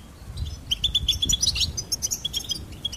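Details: Goldfinch twittering: a quick series of bright, repeated high notes building into a tinkling trill, then scattered chirps.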